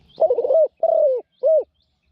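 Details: New decoy Spotted dove, praised for a small voice and frequent cooing, used with a trap enclosure to lure wild doves; three low mellow coos, the first wavering, the second long and falling, the last short.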